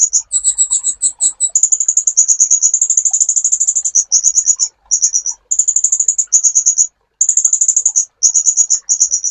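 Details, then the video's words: Sunbird singing on a training master track for songbirds. A few separate high, two-toned chips give way to a long, fast, shrill trill and then shorter trilled bursts. "MASTERAN BURUNG KOLIBRI"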